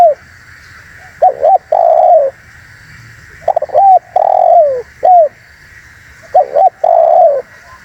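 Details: Vigorous spotted dove call used to lure birds: quick clipped coo notes leading into longer, downward-sliding coos, in bursts with gaps between, a steady faint high-pitched hum running throughout.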